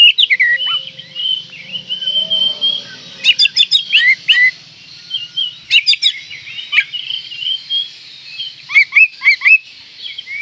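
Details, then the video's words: Oriental magpie-robin in breeding condition, song meant to provoke rivals: a thin sustained whistle followed by clusters of sharp ticking notes and short rising whistles, repeated in bursts. "Kacer Gacor Full Isian Mewah Merangsang Birahi Agar Tetap Gacor Ngobra Dan Lawan Jadi Emosi"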